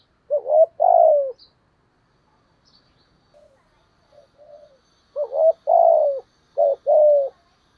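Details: Spotted dove giving giọng thổ-style coos: a short dipping note then a longer, slurred descending coo, repeated after a pause with extra short notes added, and faint soft murmurs in between.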